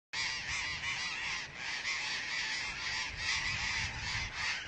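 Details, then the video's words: Burrowing parrots (Patagonian conures) at a nesting colony in Argentina of about 35,000 pairs form a dense chorus of harsh, screeching calls from many birds at once, overlapping continuously with no pauses. "Patagonian Conures at the World's Largest Parrot Colony"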